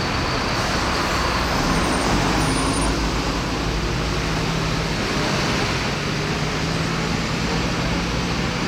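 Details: Loud, continuous road traffic rumble from cars and buses in a city centre, with no animal calls standing out.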